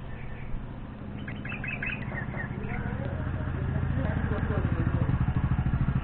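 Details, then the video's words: Hungry bulbul nestlings, four days after hatching, begging for food in the morning at the nest; a rapid burst of short, high squeaky chirps in the first seconds, then fading into a steady low rumbling background. "Hungry baby birds. Morning routine of the bulbul's family"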